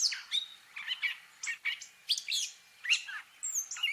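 A gray catbird sings a jumbled run of squeaky, scratchy phrases, each brief and different from the last, with short pauses between, like borrowed notes of other birds.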